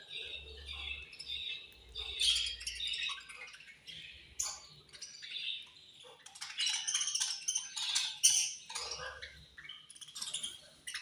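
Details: Budgerigars eating and chirping angrily. Constant warbling, grating chatter with short sharp squawks, louder and denser in the second half, over light rustling.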